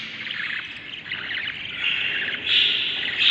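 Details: Budgerigar chicks inside a breeding nest, seven young hatched from eggs, day 38: continuous raspy, buzzy chattering that swells louder toward the end, with overlapping high scratchy notes.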